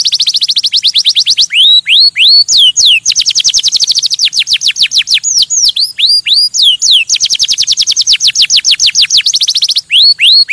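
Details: Canary singing to stimulate other birds: loud, high tours of rapid repeated notes, steep downward sweeps alternating with rising upslurred whistles, fast trills returning several times.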